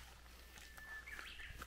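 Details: Japanese bush warbler in Gyorae Natural Recreation Forest, a gotjawal lava-rock forest on Jeju Island, on a foggy, low-cloud mid-April day after light rain: a faint, long, level whistle, then a quick rising, warbled flourish, over low background rumble.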